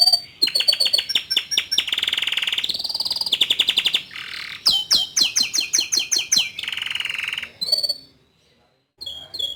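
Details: Young male canary singing to provoke a juvenile into starting to sing: rapid, rattling rolls of high notes, a long buzzy sustained trill, then more fast clipped rolls and a held whistle, with brief silences.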